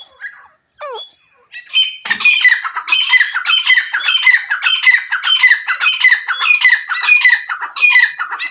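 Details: Iranian partridge made to call with a whistle: a short descending whistled note at first, then a steady run of harsh, raspy, squawking calls, about a hundred a minute, each a rough burst with a slight downward slide.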